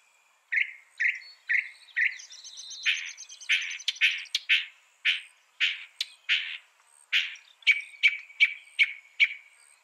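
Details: Northern mockingbird song of varied phrases: a few separate chirps repeated about twice a second, a rapid buzzy trill, then a sequence of sharp, distinct notes and sweeps.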